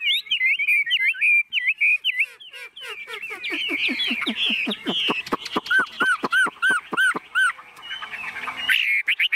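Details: Caged, hand-carried Chinese hwamei unbothered by people or birds, singing as its cage shakes: looping whistles, a fast rattling run of sharp notes, then a repeated lower arched whistle about six times.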